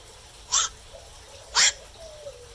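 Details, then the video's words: Black-crowned night heron calling at night: two harsh, hoarse squawks about one second apart, each short and rasping, over a quiet background with a faint low tonal whistle. "เสียงนกแขวก นกแขวก (กลางคืน)"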